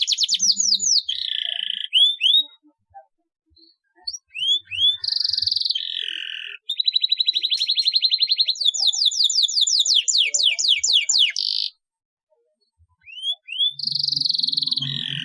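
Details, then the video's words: Canary in full song with long rolls, meant to stimulate reluctant canaries to sing. Whistled slurs alternate with buzzy trills and long, even rolled trills of rapid notes, with a short silence near the end before the song resumes. "KENARI GACOR NGEROLL PANJANG TERAPI JITU BUAT KENARI MALAS BUNYI"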